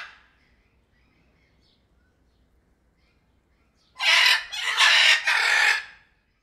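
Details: Small group of blue-and-yellow macaws: three loud, harsh, raspy squawks in quick succession after a few quiet seconds, broad and grating across a wide pitch range.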